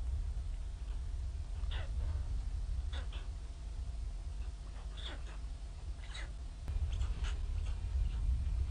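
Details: Hungry White stork young at Ustroń on 15–16 May 2019, begging in the mother's absence under bad weather with the father caring for them; scattered high thin falling squeaks, roughly one per second, over loud low rumble.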